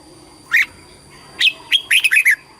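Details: Competition song of a red-whiskered bulbul, sung to call the flock and train the voice: one isolated whistled note followed by a rapid, lively phrase of several clear, warbling slurs.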